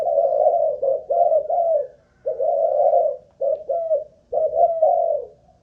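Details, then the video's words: Caged spotted dove used as a decoy, Malaysian type, during an endurance cooing test: deep, mellow coos in short bursts, a longer drawn note, then quick paired coos after a pause. "Cu Gáy Mồi Đất || Test nước bền chim cũng thấy khá ổn"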